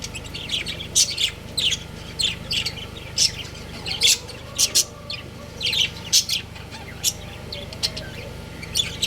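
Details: Breeding pair of budgerigars chirping: bright, sharp high chirps and short squeaky notes in irregular bursts, some quick doubled notes, over a steady low hum.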